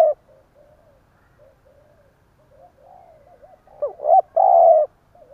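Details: A decoy spotted dove's stuttered provoking coo ('gù cà lăm'): a run of soft, wavering low coos builds into one loud phrase of broken notes and a long steady coo.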